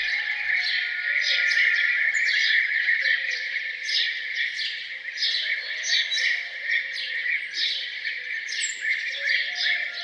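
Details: A morning bird chorus near a farmhouse, dense and bright, with quick chirps repeated more than twice a second over a constant high buzzy twitter.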